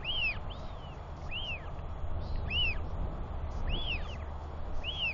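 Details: Wheeing from a Royal albatross chick beside a parent that feeds and preens it, with a second chick also wheeing nearby; six or so bright arched whistled notes, roughly one per second, some overlapping, against a low rumble of wind.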